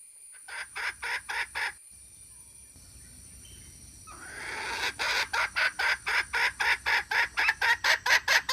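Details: Red junglefowl hen giving a call to lure males: a short run of five harsh, rasping notes, a pause with faint background hiss, then a longer, louder series of evenly spaced clucking notes about twice a second.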